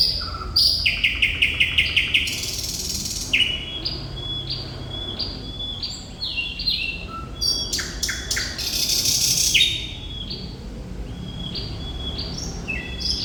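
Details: Thrush nightingale in vigorous 'gacor' song: a fast rattle of regular clicks, dense buzzy bursts, stepped whistled phrases and loud churring chatter, then more whistles and trills. Low hum in the background.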